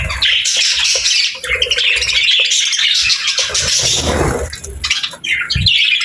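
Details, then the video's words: Happy parakeets, pet budgies, chattering cheerfully against a nature-sound backdrop: fast, scratchy warbles and squeaky chirps in overlapping bursts, with occasional low knocks. "Happy Parakeets Sounds"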